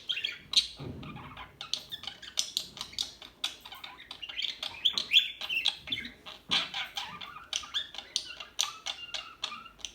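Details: Small birds chirping and twittering continuously, many short sharp high notes overlapping in a dense busy chorus, with a few brief low thumps.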